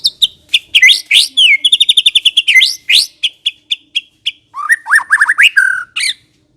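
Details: White-rumped shama singing vigorously in the ngekek style: rapid varied whistles and sharp chips, a fast run of evenly repeated high notes, then lower rich slurred phrases near the end.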